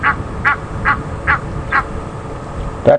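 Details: Egyptian geese in Djuma Game Reserve on a windy November afternoon, agitated near their goslings, give harsh nasal honks, about five in quick succession at roughly two per second, then a lower final note; faint background murmur.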